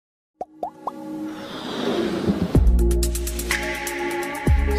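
A few water-like plops open, then music with steady tones and drum hits takes over; no animal voice comes through.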